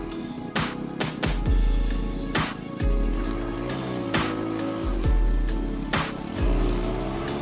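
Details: Rhythmic music with sharp percussive beats and sustained low tones fills the whole recording, with no animal voice.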